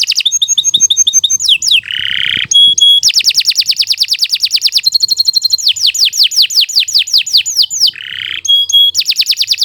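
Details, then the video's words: Long, vigorous canary song meant as a tutor for young birds. It mixes rapid rattling trills, sharp whistled notes, steady buzzy rolls and series of falling sweeps, with almost no pause. "Kicau Burung Kenari II GACOR PANJANG"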